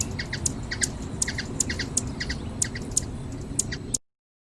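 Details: Hummingbird from Brazil repeating high, sharp squeaky notes about twice a second for four seconds before the sound cuts to silence; low steady noise fills the background.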